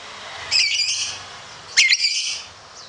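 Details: Competition lovebird giving ngekek chatter: two harsh, squeaky high bursts, the second sharper with a quick rising twist.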